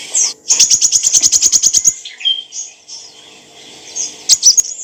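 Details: Olive-backed sunbird sound used to tutor cage birds: a rapid rattling burst of high buzzy pulses lasting over a second, followed by a short falling chirp and scattered sharp high notes.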